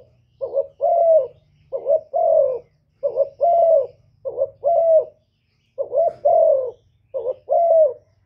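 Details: Spotted dove calling to stir up rival males, its mellow coos repeated steadily. Each phrase is a quick wavering two-part note, then a longer drawn-out coo that sags at the end. Seven phrases with a faint low hum behind.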